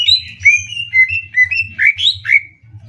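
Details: Greater green leafbird, caged, in a singing contest pitting a Banyuwangi bird against a Kalimantan bird, delivering a rapid 'tembak ngetrek' song: quick whistled and slurred phrases, some rising and falling, over a steady low hum.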